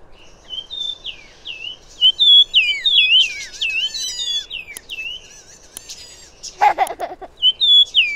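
Yunnan Fulvetta giving quick, high, slurred whistled notes in irregular bursts, with a brief harsher chattering note near the end.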